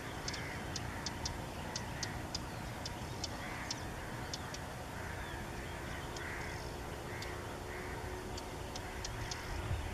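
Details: Bay-backed Shrike in Goa, 2014, giving harsh, scratchy notes about every half second, mixed with sharp high ticks, over a steady low rumble.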